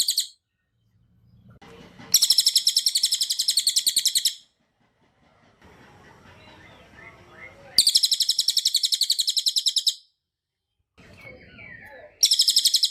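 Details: Three separate bursts of cililin song, meant as masteran for training other birds: each is a two-second volley of rapid, shrill, high notes in dense tembakan rapat style, with soft rustling noise and faint chirps between bursts.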